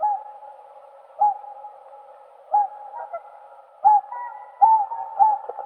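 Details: Whooper swan (Cygnus cygnus) honking: bugle-like upslurred calls at irregular intervals, closer together toward the end, over a steady backdrop of more swans calling far off.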